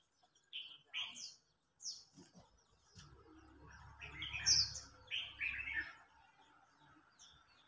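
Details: Red-whiskered bulbul singing contest with an older bird challenging a young one; clear whistled phrases repeated in short bursts, a low rumble in the middle.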